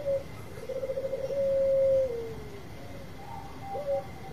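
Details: Bangkok-type zebra dove giving a long song meant as bait to provoke other birds: a soft stuttering coo rolls into a sustained, level, mellow note that slides down, then short coos follow; a faint steady electrical whine runs beneath.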